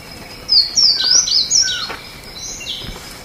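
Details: Slate-blue seedeater song, a one-and-a-half-second string of high, looping whistled notes rising and falling rapidly, followed by a softer trailing note, with a steady faint hum behind.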